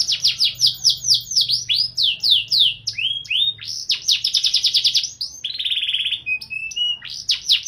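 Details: Canary singing continuously in the luxurious 'cengkok mewah' style: rapid trilled bursts of high chirps, then a sustained buzzy whistled note and lower flat tones before the fast trills return. A faint low hum runs underneath.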